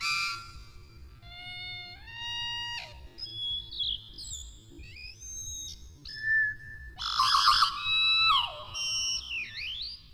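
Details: Tui song slowed to a quarter of its regular speed, so the notes and harmonies stand out: stepped, rising whistled tones, gliding slurs, a dense buzzy burst midway and a final V-shaped swoop. There is a low steady hum underneath.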